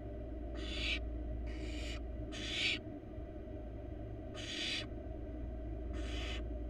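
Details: Nestling barn owl, wild, in a nest box used for research. Rasping, noisy hisses come in short bursts, three close together, then two more after a pause, with a constant low background hum.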